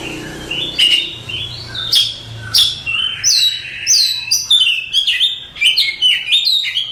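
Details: Oriental magpie-robin, a contest champion kept as a master bird for tutoring, singing a rich varied song of whistled slurred phrases and sharp chips mixed with rising and falling notes, delivered in quick bursts.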